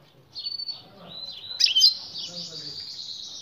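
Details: European goldfinch, with the female calling to get the male's attention for mating; drawn-out, thin, buzzy high notes with a short sharp accent in the middle.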